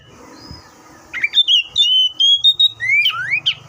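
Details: Oriental magpie-robin delivering a sustained line of smooth whistles followed by looping downward and upward slurs, with low hum and rumble beneath.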